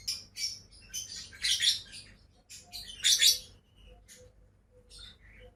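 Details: Two pet lovebirds giving irregular high chirps and rasping squeaks in loose groups, with two louder harsh bursts, then fading to faint single chirps over a soft hum.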